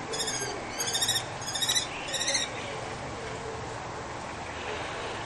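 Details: A kestrel at a balcony nest in Brno-Bohunice calls loudly, backing her mate as he fights a rival pair's male for the nest. Four quick, buzzy chattering bursts come in the first two seconds, then only low hum.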